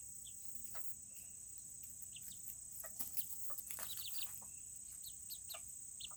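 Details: Tiny Serama chickens in their coop on a cooler day, giving scattered short high chirps and peeps, denser in the middle of the stretch, with a constant shrill hum running underneath.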